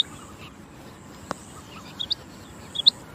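A female quail gives two short bursts of high, squeaky double notes about a second apart. A single sharp click comes before them, over a steady thin hiss.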